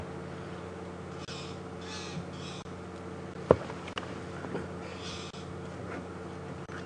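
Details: Magpie (long-tailed) shrikes at Djuma Game Reserve on the morning of March 27, 2015 give harsh, scratchy alarm calls in short bursts from a bush above a male leopard, over a steady low engine hum, with one sharp click.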